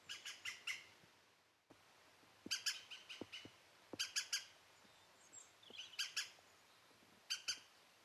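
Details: European green woodpecker (Picus viridis), call.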